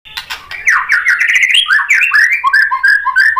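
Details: White-rumped shama in full song, used as bait to rouse other shamas, delivering a rapid tumbling run of rich whistled notes that slide down and up, about three per second, then steadier falling whistles.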